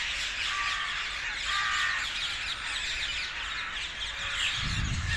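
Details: Roosting parakeets in trees south of Hackney Marshes, 18 February 2021, calling in a dense chorus of harsh, high screeches, with a couple of clear steady whistled notes early on and a low rumble at the end.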